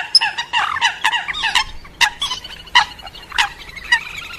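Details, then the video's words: Coot calls combined with moorhen calls, a cluster of loud stacked clucking notes in quick bursts, then sparser single harsh calls spaced about half a second apart. "নতুন কালকুচ এবং ডুংকোর পাখির মিক্সার ডাক 100% / New Coot And Moorhen Mix Call Bird call sound"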